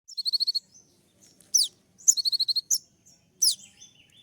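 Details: Sunbird, locally called kolibri ninja, a singing bird in 'tembak' style with full 'isian' fills, used as a master recording to provoke other birds. Sharp high downslurred notes and a quick run of rapid repeated chirps, twice, with brief silent pauses.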